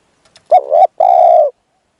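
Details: Decoy spotted dove used for luring wild doves: one cooing phrase, a short wavering coo running straight into a longer, even, hollow coo, with faint soft clicks just before and quiet afterwards.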